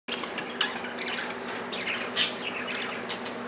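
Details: Several pet budgerigars squabbling over millet at feeding time, a dense continuous chatter of high scratchy chirps, with sharper squawks rising above it now and then and a brief flutter of wings.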